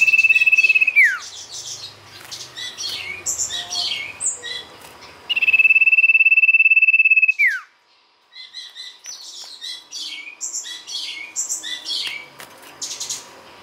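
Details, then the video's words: Sirtu lure song. Two long, fast-pulsed trills at one high pitch each end in a quick descending slur, about five seconds apart. Busy twittering and chirping from other birds fills the gaps. "pancingan sirtu gacor"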